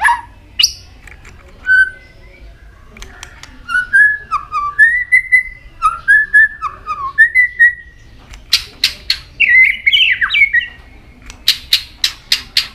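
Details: White-rumped shama varying its song through many voices while repeatedly flicking its tail; clear mellow whistles, some slurred downward, in a steady series, then a burst of warbling followed by a string of dry clicking snaps.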